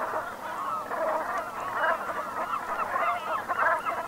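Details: Many Brent geese murmuring together at sunset, Gulf of Morbihan, Brittany, France, 7 November 2021 in autumn; thick, unbroken growling chatter of short nasal calls, growing slightly louder toward the end.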